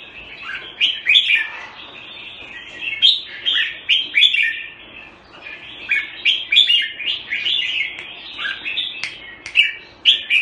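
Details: Red-whiskered bulbul, called jambul, fed on special bird food, delivering continuous bubbly warbling phrases with sharp accented notes, dense and busy throughout, over a faint steady low hum.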